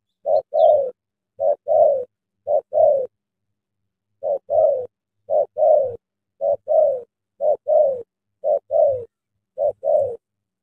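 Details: Early-morning trapping with a tame decoy spotted dove luring a large wild one, Vietnam: gentle hollow coos in repeated two-note groups, a brief pause, then steady regular pairs.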